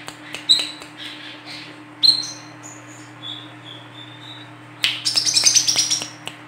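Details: Female olive-backed sunbird as lure for bird trapping: isolated high chirps, then a fast dense burst of sharp twittering notes near the end, with steady hum.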